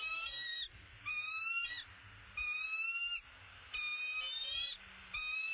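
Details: Bald eagle at its nest as the male delivers an opossum: five sustained, high, whistled bursts with slight upward slides, repeated roughly every second and a quarter, over soft low background noise.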